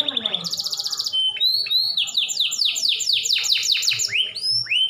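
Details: Canary song meant to get other canaries singing: a fast buzzy roll opening, then a rapid run of high descending whistled sweeps, many repeated notes, closing with slurred upward whistles.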